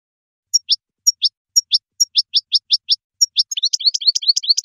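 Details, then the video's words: A goldfinch sings high, thin notes: paired tinkling chips and slurred rising phrases about every half second, breaking into a fast, bubbling twitter, with no other sounds. "Song of the Goldfinch"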